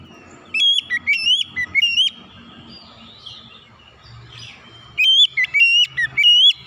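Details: Loud oriental magpie-robin song for untrained birds: two clusters of short, bright whistled notes that rise and drop in quick succession, with soft low background murmur between the bursts.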